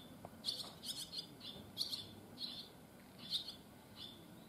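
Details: Barn swallow chicks that left the nest early that morning call with clipped, high chirps in clusters of two or three, separated by short pauses, over soft background noise.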